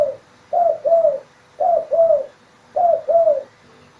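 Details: In an Indonesian village at morning, a spotted dove gives three mellow paired coos, each pair a short note then a longer slightly falling one, spaced about a second apart.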